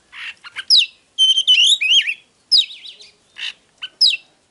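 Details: Oriental magpie-robin song, used to stir up a male bird: loud, varied whistled phrases with rising and falling slurs and wavering notes between short harsh bursts, separated by brief pauses.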